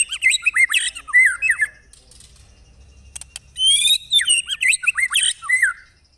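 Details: Murai batu, or white-rumped shama, from real birds in a tutor recording: clustered sharp chirps and upward-flicking whistles, a quiet gap with a few clicks, then a dense burst of high buzzy and whistled notes.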